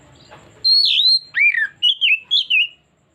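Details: Oriental magpie-robin (kacer) song used as a trigger recording to draw out other birds' repertoire: a long high whistle sliding down, a lower swooping slur, then three short rising-and-falling whistled notes. Faint rustling at the start.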